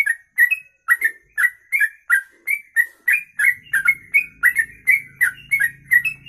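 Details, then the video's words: Long kongslet-style song from a sooty-headed bulbul: rapid, rolling whistled notes of varying pitch, about three each second, with high clicks throughout and a low hum entering in the second half. "Trucuk Kongslet Ropelan Panjang"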